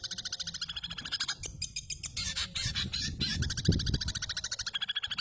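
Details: Long-tailed shrike imitating house sparrow calls: rapid strings of harsh, buzzy chirps at a steady fast pace, pausing briefly for scratchy notes, then resuming the run; low rumbling background noise throughout.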